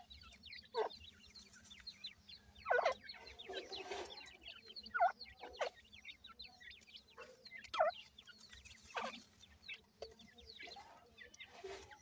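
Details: Partridge (teetar) chicks in captivity during feeding, sharing space with Iranian pheasant chicks; many high peeping chicks call in overlapping descending notes while repeated loud pecking taps and scraping thumps punctuate the background.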